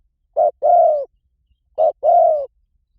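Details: Spotted dove lure call for wild doves: two clear phrases, each a brief coo followed by a longer, gently falling mellow coo, set against silence.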